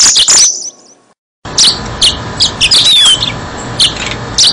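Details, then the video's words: Song of a yellow-fronted canary, played as a trapping lure. A short bright twitter opens, then silence, then scattered high chirps and a long descending whistled slur over a soft hiss. "Suara Burung Mozambik Buat Pancingan"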